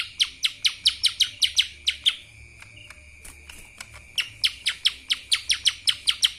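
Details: Kapas tembak style song from a lesser green leafbird: loud, sharp, downward-slurred high notes repeated about three times per second. A brief quieter gap in the middle is filled with soft ticks over a constant thin tone.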